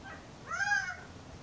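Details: A single male Gambel's quail call, recorded on a sunny, warm April afternoon. The call is a strong, harmonic, slightly rising-then-falling nasal note of about half a second over soft background noise.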